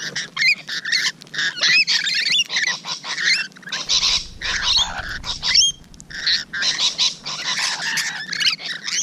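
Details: Rainbow lorikeets heard at close range on the morning of 12 June 2017: continuous shrill, grating screeches and chattering from several birds, barely pausing.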